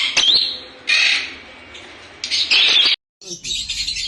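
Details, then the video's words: Lovebirds chirping in bursts of sharp, shrill squeaks and chatter, separated by quieter stretches and one brief silence before the calling resumes. "lovebirds chirping sounds"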